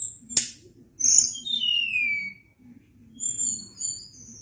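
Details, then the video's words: Sunda blue robin, locally tledekan gunung, singing in a long rolling style: a sharp click, then very high thin whistles descending in slurred strokes, later softer high whistled phrases over a steady low hum. "Ocehan Tledekan Gunung gacor Ngeri Bikin Tledekan Apapun ikut Gacor Ngerol Panjang"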